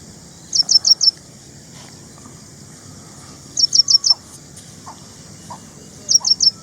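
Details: Ashy prinia, also known as ashy wren-lark; three quick bursts of four high, sharp chirps about two and a half seconds apart, with scattered lower short notes from other birds between.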